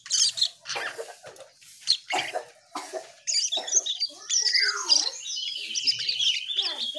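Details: Asian pied starling singing gacor style: harsh rasping notes at first, then a dense chatter of high squeaks and a long descending whistled slur.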